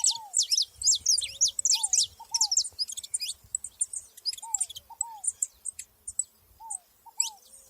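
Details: Saffron finches together in the wild: a vigorous burst of high sliding chirps that thins out toward the end, with a repeated lower two-note descending whistle and a nearly quiet background.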